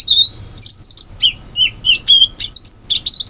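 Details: Wild sooty-headed bulbul in the forest, delivering rapid, loud whistled and chirping notes in close succession, a lively jumble of short rising and falling phrases.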